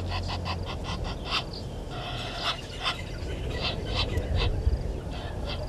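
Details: Fainter red-billed hornbill clucks from a nest tree at Gowrie dam, Djuma Game Reserve, Sabi Sand Wildtuin, South Africa, morning of 30 January 2020: evenly spaced dry pulses in short bursts, steady low rumble beneath.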